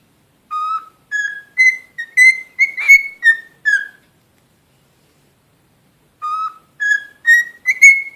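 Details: Pet cockatiel kept as a talking parrot, giving a clear whistled tune: a run of about eight pure notes stepping upward then dipping, a long silent pause, then the same opening phrase starting again.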